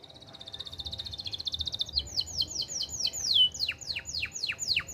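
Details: Canary of the AF type, kept as a tutor for young birds and to stimulate breeding in hens. A fine, fast trill shifts into a series of sharp, high descending whistled notes.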